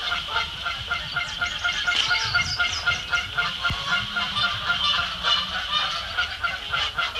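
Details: Canada geese at Sapsucker Woods Pond, Ithaca, New York, on 12 May 2017, mid-morning, including a neck-tagged goose in repeated squabbles, honk and squabble in a dense, overlapping chorus of harsh, nasal calls about four per second without pause.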